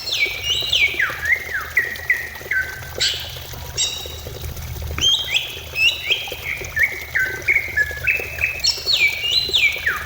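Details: Cucak ijo song used as a lure to make a bird start singing, a varied run of bright descending whistled slurs and sharp upward sweeps, delivered in rapid connected phrases with a steady low background hum.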